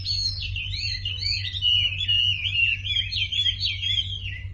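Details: Sumatran leafbird singing a lure song to set silent birds singing: an unbroken, rapid, high-pitched warbling chain of looping whistled notes, with a faint low hum beneath.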